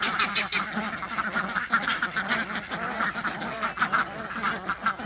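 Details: A flock of 23 excited domestic ducks, mostly females with three males, quacks in a dense, overlapping chorus of harsh low-pitched quacks that signal happiness, hardly pausing; a guinea fowl also calls nearby.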